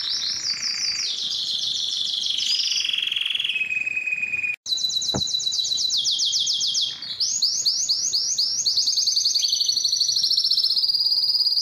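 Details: Belgian canary song made of fast rolling trills that switch pitch between phrases, a brief pause and a click midway, then resuming with bright, rapidly repeated high notes and buzzy tours.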